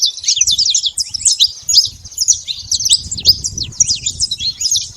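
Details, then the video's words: A free-living saffron finch sings a fast, continuous string of high, crisp chirps and downward-slurred notes, steady and lively across the whole stretch, with quiet low ambient rumble behind. "canário da terra livre na natureza com belo canto"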